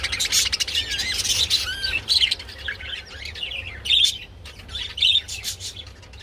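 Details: Pet budgerigars mating, giving mating calls: dense, continuous high warbling chatter with scratchy chirps and short whistled notes overlapping throughout, several bright squeaky bursts standing out.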